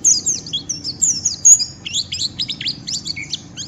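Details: A white-eye sings a rapid, high jumble of harsh twittering and chirping notes, run together in quick bursts with a faint low hum beneath, provoking rivals to call back.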